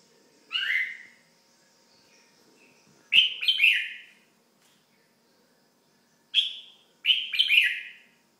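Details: Kept red-whiskered bulbul repeating cheerful chirping phrases, four bursts of bright whistled and slurred notes spaced irregularly over eight seconds, with a faint low household hum behind.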